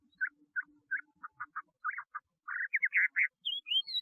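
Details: Chinese hwamei giving soft, evenly spaced chirping notes that quicken into a short twittering run, then finishing with a few higher, sweeping whistles.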